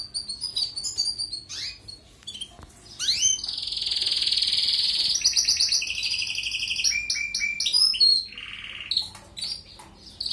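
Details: European goldfinch song used for training canaries: quick high twittering chirps, then a long steady buzzy trill with abrupt pitch shifts, broken by sharp upward sweeps and more chattering notes.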